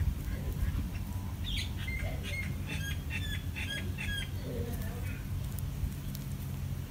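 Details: A bulbul, a parent defending babies from an ant attack, gives bursts of short, bright chattering notes for a few seconds over a constant low background rumble.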